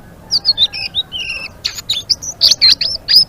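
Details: Blue-winged leafbird singing energetically in ngeriwik style: rapid, varied high whistles and chirps with short slurred and rising notes, delivered in quick irregular bursts, loud and clear over faint background hiss.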